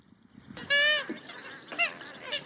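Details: Grey-headed Swamphen in reed marshland by rice fields in Prachuap, Thailand, gives one long, loud, nasal honk like a blown party whistle, then two shorter honks over about two seconds.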